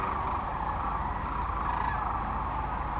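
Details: Massed sandhill cranes on the Platte River, central Nebraska, in mid-March 2009 as they pause on spring migration; an unbroken wall of overlapping rattling calls from a large flock.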